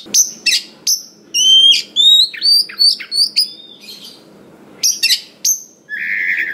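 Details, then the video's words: Oriental magpie-robin taken from the forest, singing to provoke other magpie-robins. Spaced sharp high chips and clear sliding whistles, ending in a harsh, buzzy, drawn-out note. "SUARA BURUNG KACER ISIAN BANYAK !! PANCINGAN UNTUK BURUNG KACER BAHAN HUTAN || VOICE OF KACER"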